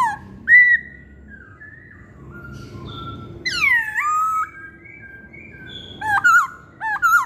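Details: Whistled song of a masked laughingthrush, with a short arched note, quiet level tones, a loud plunging whistle and closing pairs of quick, wavering notes.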